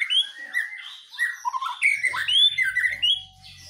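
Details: Caged white-rumped shama singing energetically during dew conditioning: a busy stream of clear whistles, slurred rising and falling notes and scratchy flourishes, with a low hum in the later part.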